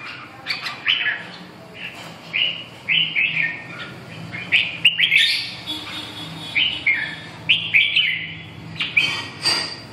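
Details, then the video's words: Red-whiskered bulbul delivering rapid, bubbly whistled phrases, each a quick slurred run of notes, repeated about every second over ten seconds, with faint low background hum and occasional clicks. "Kênh về chim Chào mào"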